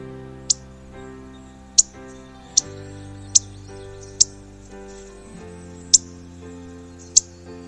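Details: Indigo Bunting call, heard as a sign one is close by: sharp, high, dry chip notes, single and clipped, spaced about one to one and a half seconds apart, over soft background music.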